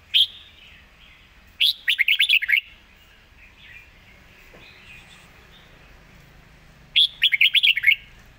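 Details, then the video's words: Red-whiskered bulbul singing in the Thai zone style, fast-mouthed with rapid-fire notes: three bursts of quick, clear whistled notes, the middle burst a run of about six, separated by quiet pauses with faint background chirps. "สายเพลงโซนห้ามพลาด"ทีเด็ดเพลงโซนปากไว เพลงรัวๆ"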